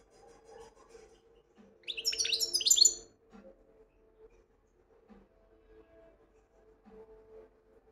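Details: European goldfinch singing in the widani style: one dense, bright burst of rapid twittered and buzzy notes lasting about a second, with a steady low hum and faint soft clicks before and after.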